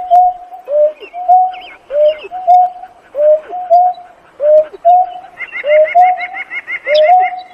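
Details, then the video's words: Painted-snipe calling its flock: paired mellow tonal notes, a level hoot followed by a lower downslurred one, repeated steadily about once a second, with quicker, higher chattering notes from other birds behind. "Tiếng kêu của chim nhát hoa- Chim Nhát Hoa gọi bầy"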